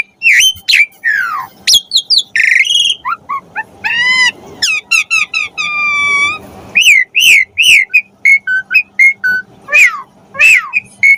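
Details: Asian pied starling in lively, full-variation song for tutoring and stimulating starlings to sing: a rich medley of slurred whistles, rapid repeated upslurs, buzzy harmonic notes and sharp clicks, delivered in short bursts with brief gaps.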